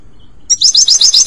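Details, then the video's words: European goldfinch singing, for training a pet bird: after a short pause a rapid run of bright, high twittering notes, about ten per second, steady and loud to the end. "Legendary Goldfinch Singing - HD sound - Best for training - صوت الحسون الاصلي"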